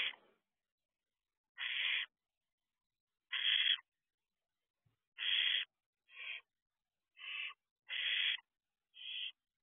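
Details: Young barn owls peering out of an owl box door at 4:24 am produce repeated breathy, harsh screeches, about eight bursts, some shorter and softer, with quiet pauses between them.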